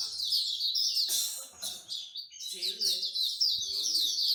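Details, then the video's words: Bird-lovers' singing corner in Singapore: many songbirds singing at once in a dense, high chatter of quick chirps and trills, with faint human voices underneath. "Bird Singing Corner"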